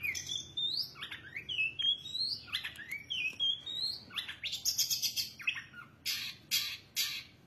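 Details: Long-tailed shrike (cendet) in full song: varied whistled notes and slurred, rising phrases around the upper mid-range, then harsh buzzy bursts and scratchy chatter near the end, with a low indoor hum beneath.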